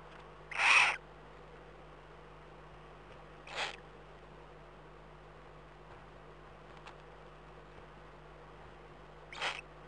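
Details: Night recording from the Eifel, 11 April 2012 at 03:39: a Eurasian eagle-owl makes three short rasping wheezes, the first loudest, spaced by several seconds of quiet background hum.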